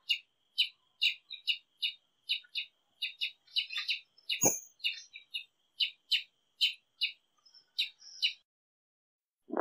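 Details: Brazilian tanager, also called tiê-sangue or sangue-de-boi, singing: a long series of short, clipped chirping notes repeated about every half second at a steady rhythm, with one sharp low thump midway.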